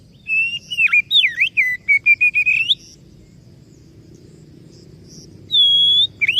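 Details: Oriental magpie-robin in full song: loud clear whistled phrases with swooping and dipping notes and short repeated chirps, a pause, then a long steady high whistle, over a low constant background hum.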